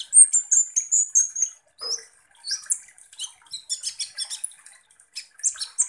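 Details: Sunbird song used as a lure to agitate konin birds: high, thin whistled notes sliding downward, then rapid scratchy twittering and sharp chirps in uneven bursts.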